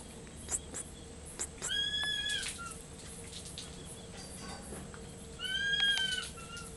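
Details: Captive former-pet Black-and-white hawk-eagle at feeding time with mice, Ecoparque Panama near Panama City, giving two drawn-out, mewing whistles, each level then slightly falling, about three seconds apart, with scattered sharp clicks and ticks.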